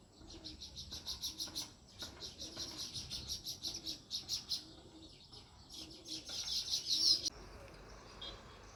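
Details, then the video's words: Natural sparrows chirping in rapid bursts of bright, overlapping chirps, several per second, building to a louder cluster before stopping, with a soft low cooing heard underneath. "Natural Sparrows Chirping Sound"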